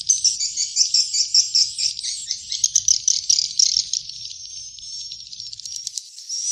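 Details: Swiftlet chicks, a sound used to attract swiftlets: a long run of quick, rhythmic chirping trills with twittering notes overlapping, softening in the middle and ending in rattling clicks, faint low thumps behind.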